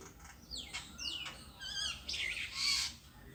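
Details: Bird perched alone in a tree, calling with a few harsh, descending squawky notes, then slurred whistled slides and a loud buzzy burst near the end, over faint low rumble.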